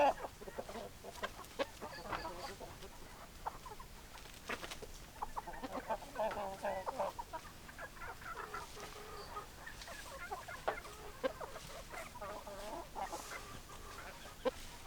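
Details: Chickens called with favourite food, heard as quiet, scattered clucks and murmured notes over a steady background hiss, with a slightly busier patch of clucking near the middle.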